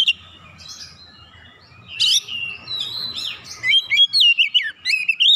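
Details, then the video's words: Oriental magpie-robin in captivity singing in full voice after a quiet start: a rich run of whistled, rising and falling notes, then rapid sharp chirps repeated about four per second, faint low hum beneath. "KACER LAIN CEPAT TERKOMPORI MEMANAS GACOR BUKA PARUH BONGKAR ISIAN"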